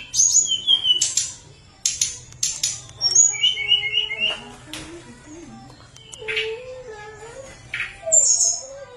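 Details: Hill blue flycatcher (tledekan gunung) singing vigorously in a flute-like style, used as a lure to prompt lazy birds to sing: clear whistled phrases alternating high and mid notes with short sharp chips, pauses between bursts, faint low hum beneath.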